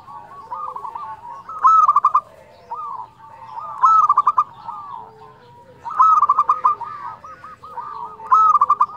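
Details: Local zebra dove singing constantly in a fluting voice, used for luring and training quiet birds; four phrases of rapid pulsed coos, each trailing into rolling softer notes, about every two seconds.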